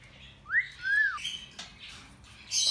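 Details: Salmon-crested cockatoo, native to the South Moluccas. It gives two clear whistled notes, the first sweeping up and the second arching gently down, followed by faint scratchy sounds and a harsh burst at the end.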